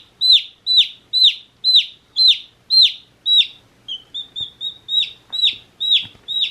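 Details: Day-old chick calling steadily: loud, strongly downslurred peeps repeated about every half second, then a run of shorter, softer, flatter chirps before the loud peeps resume.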